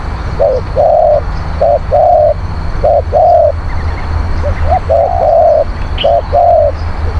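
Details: Spotted dove song used to draw in wild doves: clear repeated phrases of a short double coo followed by a sustained flat coo, about five phrases with brief gaps, low rumble beneath.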